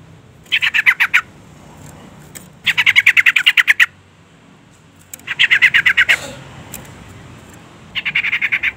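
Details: Female sooty-headed bulbul call meant to rouse a male: four bursts of rapid, harsh pulsed chatter, each roughly a second long, separated by short pauses.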